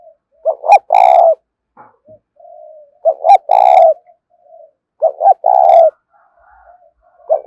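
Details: Repeated lure cooing of a spotted dove in the 'thúc' style for drawing wild doves: phrases of two short notes and a longer, harsh-edged coo come about every two seconds, with quiet cooing fragments between.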